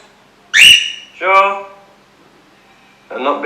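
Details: Captive male blue princess parrot, cobalt colour form, reacting angrily indoors to videos of other princess parrots: a sharp harsh screech, then a lower buzzy harmonic call and a short rasping note, with a man speaking to it.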